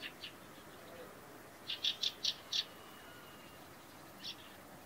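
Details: A single, usually timid Fieldfare (Turdus pilaris) gives a quick run of four short, harsh chack notes, with single notes before and after, over a soft background hiss.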